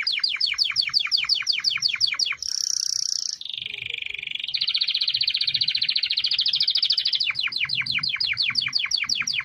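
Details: Canary singing: a fast trill of repeated downslurred notes, a brief high buzzy roll, then a lower continuous rolling tour that returns to quick repeated chopped notes.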